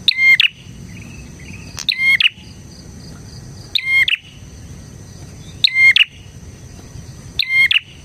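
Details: Bar-winged prinia song used as a lure and master song for prinias: five rapid bursts of shrill, ringing chirps ending in harsh notes, repeated about every 1.8 seconds over a steady high background hum.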